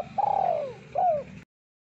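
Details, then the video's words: Spotted dove with a thick voice, its song used for luring birds: a long falling coo followed by a shorter falling coo, over a low steady hum. "Suara Burung Terkukur Deruk Derkuku Gacor Suara Tebal Buat Pikat Luar Biasa"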